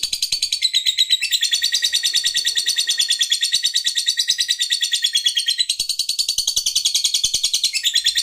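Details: Lovebird kept as a pet, singing a long, dense high chatter: rapid buzzy notes pulsing about three times a second, unbroken throughout, with a brief shift in tone near the end.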